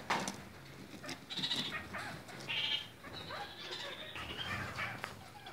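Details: Kept red-crowned parakeets of several colour varieties call in short, harsh, nasal bursts, one after another, then a longer drawn-out note, over a noisy indoor background.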